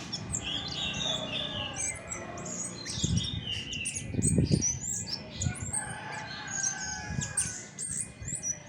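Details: Natural song of a chestnut-backed thrush: rapid high chirps and twittering phrases over a continuous thin tone, interrupted by loud low thuds and flutter-like bursts around the middle.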